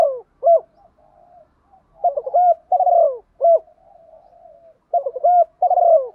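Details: Spotted dove decoy singing in the 'thổ' voice mixed with the 'thúc đấu' style, used to prompt wild-caught doves to coo and approach; deep cooing notes come in short clusters, with soft low murmuring between phrases.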